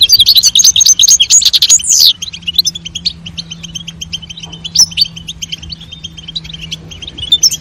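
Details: Female European goldfinch calling and male singing to stimulate mating; opens with a loud, fast run of bright chirps and trills for two seconds, then softer continuous high twittering with occasional sharp notes.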